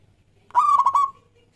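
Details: Local Indonesian zebra dove (perkutut lokal) in full song, used as a lure to set other doves singing: a single quick phrase of rapid rolling coos, about half a second long, in a quiet setting.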